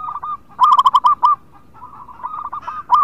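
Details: Local zebra dove in lively song, meant to lure other birds that are reluctant to sing: one loud run of seven quick, bubbling coo notes, then fainter rolling coos from another dove in the background.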